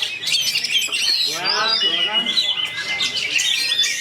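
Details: Oriental magpie-robin (kacer) rattling off a tightly packed rolling song, roll speed rapat style, with a sweeping descending whistle near the start and a steady chirping stream after, plus a person talking softly.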